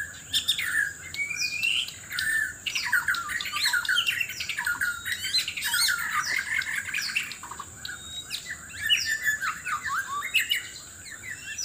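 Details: ['In Sabah, Borneo, a White-rumped shama sings hard in a mate-seeking vocal contest: fast, jumbled whistles, harsh squawky notes and twittering runs, almost continuous, with a faint high whine underneath.']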